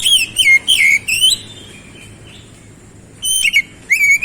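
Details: A series of swooping whistled notes from an oriental magpie-robin, dipping and rising in quick succession, followed by a pause, then further short whistled bursts.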